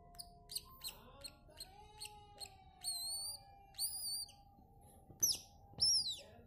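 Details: A newborn Buff-banded Rail chick, locally called tikling, gives thin, very high peeps about three per second, then longer whistled notes that rise and hold level, ending in two louder downward-sliding squeals, over a faint steady tone.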